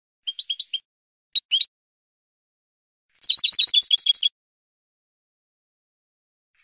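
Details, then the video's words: From a Spanish goldfinch song tape for cage birds: a short cluster of high chirps, two isolated notes, then a rapid, silvery trilling phrase for about a second before quiet. "شريط لغة الحسون الإسباني"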